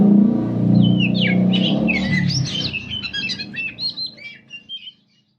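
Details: Morning song of a treasured pet kacer (Oriental magpie-robin) kept at home, with its owner having coffee nearby. Quick whistled and chirping notes tumble over loud low rumbling noise at first, then continue more clearly before stopping abruptly.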